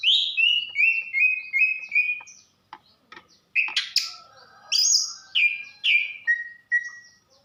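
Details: Female greater green leafbird from Banyuwangi calling to arouse a male: a run of loud, clear whistled notes, each sliding down slightly, repeated quickly, then a pause and a burst of higher, sharper whistles with short clicks.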